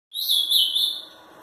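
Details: Ultramarine grosbeak, a three-year-old caged 'fibra' competition bird from Pelotas, Rio Grande do Sul, Brazil, singing angrily: one rich warbled phrase of about a second, high and slightly rising, then quiet.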